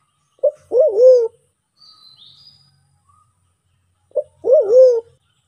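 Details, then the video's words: Lure call of the Sulawesi black pigeon (Turacoena manadensis), a Sulawesi endemic, identified as white-faced cuckoo-dove: a low, wavering coo after a short clipped note, repeated about every four seconds, with faint high chirps from other birds. "SUARA MERPATI HUTAN"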